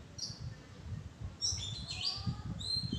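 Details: Oriental magpie-robin calling from a thicket in a santol-like mango tree, with clear whistled notes and upslurred phrases near the end over low rumbling background noise.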